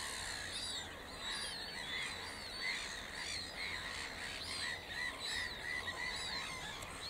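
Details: Mallard ducklings (juvenile chicks) in Worcestershire, England, peep in high, thin overlapping notes, several each second, over a steady hiss of outdoor background noise.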